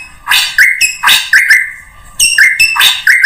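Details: Short drongo lure sound for calling in any bird: harsh chattering notes, each trailing into a level whistle, repeated several times.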